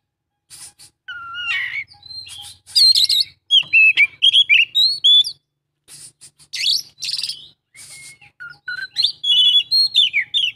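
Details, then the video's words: Kacer, the Oriental magpie-robin, singing full isian: quick varied phrases of rising and falling whistles, sharp buzzy bursts and trills, with short pauses between bursts; faint low hum in places. "kacer isian full"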